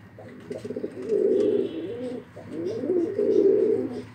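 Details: Close pigeon cooing: two drawn-out, throaty rolling coos, each swelling and wavering in pitch over more than a second, separated by a brief gap, in a quiet indoor setting.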